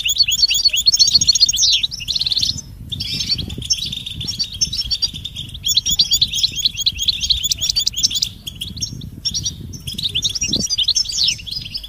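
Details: European goldfinch mating and readiness calls, locally called 'batbata', aimed at waking a silent male's song; bursts of dense, high, jingling chirps separated by short pauses at about two and a half and ten seconds.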